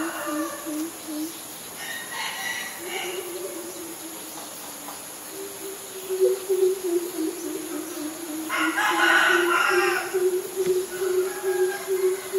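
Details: Greater Coucal in Ubon Ratchathani, Thailand, May 22, 2022, recorded on a Nikon P1000. Deep booming hoots repeat in runs, with a sustained low tone between them. A brief burst of higher calls from another bird rises near the end.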